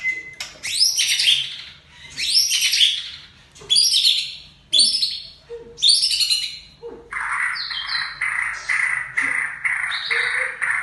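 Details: White-rumped shama of the Aceh type singing loud rich phrases: sweeping downslurred whistles in bursts about every second, then a long steady buzzy trill overlaid with clear whistled notes.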